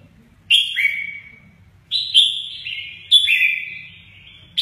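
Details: Mơ ché nẹt style song from a red-whiskered bulbul performing wing play; three crisp whistled phrases, each beginning high and stepping down in pitch, separated by short silences.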